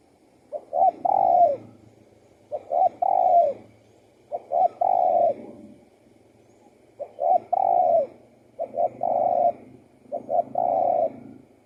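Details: Spotted dove cooing: low, soft phrases of a couple of short notes leading into a longer drawn-out coo, repeated about every two seconds in a steady rhythm against a quiet background.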